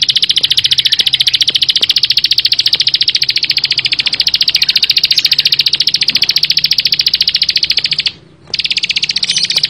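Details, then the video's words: Nonstop Bar-winged prinia song, a very fast, highly regular stream of high buzzy notes lasting almost ten seconds, briefly interrupted by a short pause near the end. "ciblek sawah gacor full bren rapat"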